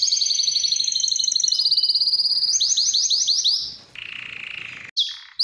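A Spanish Timbrado canary sings fast metallic rolls and trills, shifting from rapid ringing notes to a run of rising chirps and then a buzzy, lower tour.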